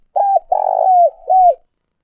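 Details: Captive decoy spotted dove (chim cu gáy), an old wild-caught bird used to lure wild doves, gives three low, hollow coos, the middle one longest and gently falling at its end; otherwise quiet.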